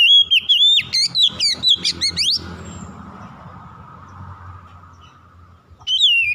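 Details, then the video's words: Kacer, the oriental magpie-robin, in a lure recording to get a quiet bird singing: a fast burst of about a dozen sharp, up-swept whistles over two seconds, then a pause with faint hum, then another falling whistle. "PANCINGAN SANGAT AMPUH MEMULIHKAN KACER MALAS BUNYI CEPAT GACOR"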